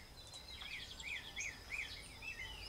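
Double-collared seedeater giving quick, high, arched slurred notes about every half second, overlaid by thinner higher chirps, with a low background rumble.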